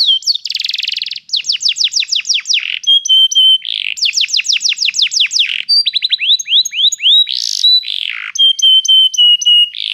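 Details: Training song of a canary: varied tours of rapid descending whistles, buzzy trills, and steady pure tones alternate, each phrase repeated quickly and loudly without background sound.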